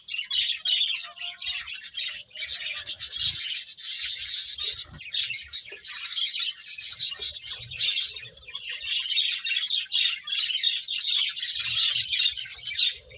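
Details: A group of finches chirps while they feed. Thick, high, buzzy twittering runs throughout, rising and falling in loudness, with faint rubbing and tapping sounds.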